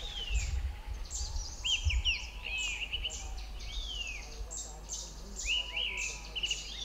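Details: Grey-winged blackbird, a thrush of the Himalaya, singing territorial song down a valley in hill country; rich whistled phrases with rising and falling slurred notes, repeated in short bursts, over a steady low rumble and faint high chirps.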